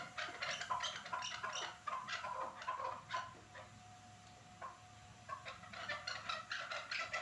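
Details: Chukar partridges at Norak give runs of sharp, clucking chuck notes in quick bursts, a brief lull midway, then another rapid run; a low steady hum persists.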